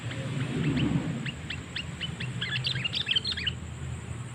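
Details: Sooty-headed bulbul call played to attract wild birds for trapping: rapid series of short chirps that grows into a dense, bubbly jumble of overlapping notes, over a low rumble.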